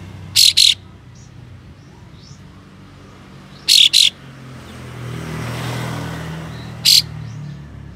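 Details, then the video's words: Kapas tembak (Ashy tailorbird) in tail-open display, giving coarse buzzy double bursts roughly every three seconds and then a single one, aimed at provoking other tailorbirds, while a vehicle rumbles past in the background. "Kapas Tembak Buka Ekor Full Besetan Kasar Pedas Untuk Memancing Katem Lain Agar Bukor"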